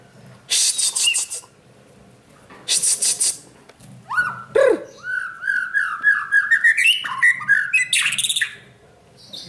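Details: White-rumped shama in training, singing a rapid series of clear whistled notes that climb in pitch, broken by harsh buzzy bursts and scratchy noises.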